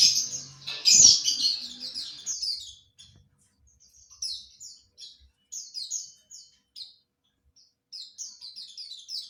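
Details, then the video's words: Ngriwik chatter of a kept white-eye for training: a loud dense high twitter with a thump at first, then quieter scattered short high chirps separated by pauses. "Penggacor Pleci NGRIWIK"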